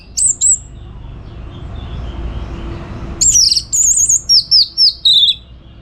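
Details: Orange-headed thrush in lively song for training contest birds: one high slurred whistle, a pause of a few seconds, then a fast sequence of very high, twisting whistles that step downward in pitch.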